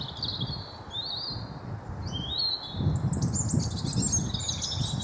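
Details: High sliding whistles from a wild blue tit in a Wyre Forest garden, England, followed by a rapid descending trill of short notes, with low background rumble throughout.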